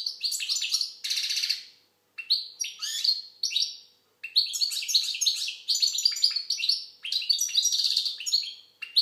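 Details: Algerian goldfinch song, the bird locally called maqnin: dense, fast twittering phrases interspersed with harsh buzzy notes, running almost without break after two short pauses.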